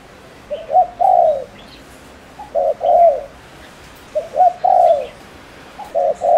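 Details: Spotted dove used as a decoy to provoke males, Ninh Thuận, Vietnam; four rapid cooing phrases roughly every two seconds, short hooting notes followed by a drawn-out descending coo.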